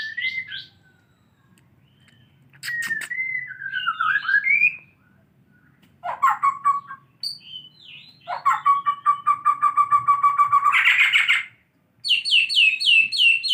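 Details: White-rumped shama learning to copy canary song: varied whistled phrases, sliding notes and rapid repeated chips, some bursts high and buzzy, a long steady trill near the middle, separated by short pauses.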